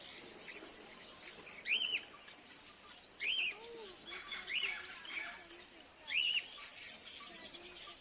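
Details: A captive black swan in an aviary at the Statue of Unity, Gujarat, trying to grab a mobile phone: four short, arched, whistling bugle notes about two seconds apart over a steady hiss of background noise.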